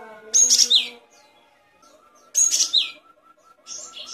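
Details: Great tit song meant for tutoring caged songbirds. Loud, bright bursts of high, down-slurred whistles come roughly every two seconds. Faint lower whistles and tones repeat between the bursts.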